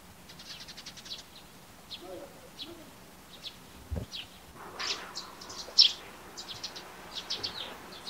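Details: Eurasian tree sparrows give bright, clipped chirps in quick runs on a morning, becoming busier and louder after a soft thump midway; they may be ground calls, since their song and calls sound very alike.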